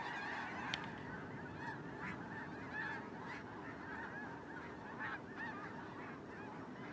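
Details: Snow geese on migration, a large flock filmed from a drone: a dense, continuous chorus of overlapping honking calls, with repeated brighter yelps standing out above a steady low rumble of wind or wingbeats.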